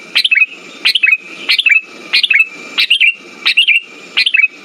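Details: Sooty-headed bulbul song used as a lure to restart silent birds: seven evenly spaced phrases of bright chirps sliding downward, about one every 0.65 seconds, with a steady thin tone throughout.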